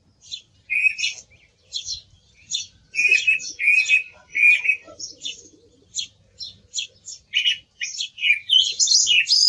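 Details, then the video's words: Song thrush in full song, delivering varied high phrases; one lower, ringing note is sounded several times in quick succession before the bird moves on to sharp, chattery notes and high twittering. "Sonido del Zorzal Comun - Sturz cantator - TURDUS PHILOMELOS"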